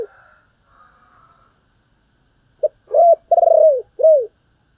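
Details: A spotted dove gives its calling coo to excite a decoy. Quiet soft murmurs come first, then a loud phrase: a short note, a rising coo, a long throbbing coo that slides down, and a closing falling coo.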